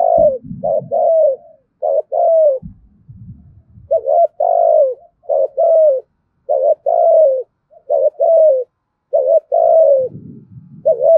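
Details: Spotted dove with a big voice calling to lure other doves in thúc gù style: rapid series of paired coos, short then falling, about one pair per second, with some low thumping noise at the start and end.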